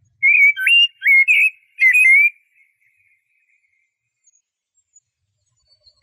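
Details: Eurasian blackbird singing: three short, mellow fluted whistled phrases in quick succession, each swooping up and down, followed by several seconds of silence.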